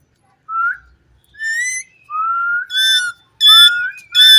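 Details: Talking Indian ringneck parrot in a cage produces loud, clear whistled phrases, some long and level, others bending upward, with harsher, buzzier tones in the last second; no background noise.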